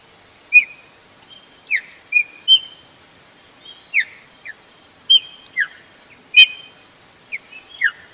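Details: A female Chopi blackbird calls repeatedly, a call used to excite males, giving clear whistled notes and short downslurred chirps, irregularly spaced about every half second to a second; no other sounds.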